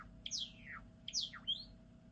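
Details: Two high, slurred, falling whistled phrases from a Java sparrow, the second ending in a short rising note, against a quiet low hum.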